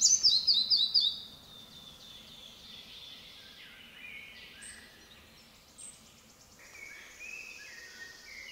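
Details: Red-breasted flycatcher (Ficedula parva) in Dobříš forest district, Czechia, on 28 May 2023 opens with a quick series of thin, high, repeated notes lasting about a second, then fainter high chirps over soft background noise.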